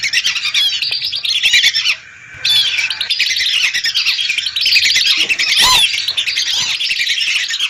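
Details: A flock of hundreds of lesser whistling ducks, recorded as a lure, calling in a thick chorus of high whistles and squeaks, with a short near-silent break early on and a loud clear whistle later.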